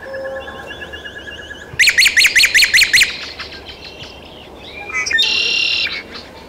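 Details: Great-tailed grackle in Taos, New Mexico, on June 17, 2017. A thin whistle opens, then a burst of about six rapid, harsh clicking notes, followed by a loud buzzy rasp near the end. A steady low hum sits underneath.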